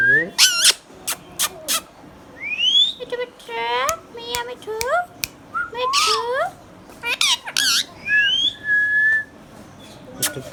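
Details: Pet green Indian ringneck parakeet, hand tame, talking: a rapid run of harsh broadband squawks and clicks mixed with wavering, speech-like harmonic syllables and rising whistled notes, with short pauses between bursts.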